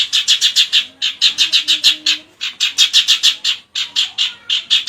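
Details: Long-tailed shrike singing a lovebird imitation: fast bursts of sharp, high chattering notes, about six to eight per burst, repeated with short pauses between runs.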